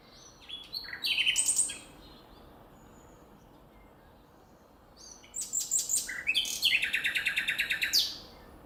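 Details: A common nightingale sings two phrases in nature, separated by a pause of about three seconds: each is a fast, loud burst of repeated pulsed notes mixed with whistles, the second longer and more elaborate.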